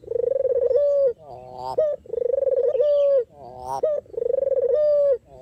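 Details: Puter or deruk dove used to lure birds for trapping, giving three sustained level coos, each ending in a sharp rising stuttered note.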